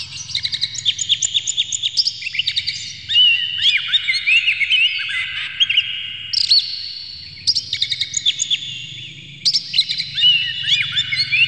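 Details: A displaying Oriental magpie-robin, tail open and fluttering, pours out long, varied song: fast rattled chips, swooping whistles and buzzy slurs, with bursts of rapid repeated notes and a faint low hum behind; used to stir other magpie-robins into singing.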